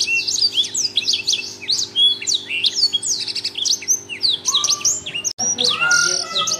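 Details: Loud, persistent Blackthroat singing: hurried high-pitched twitters and slurred notes delivered almost without a break, a brief cut near the end, then more chirping with a few lower whistles, over a soft hum.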